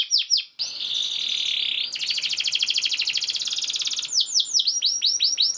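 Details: Energetic canary song for training other canaries: brief downslurs, a sustained buzzy roll, then a fast pulsing trill giving way to repeated arching whistles.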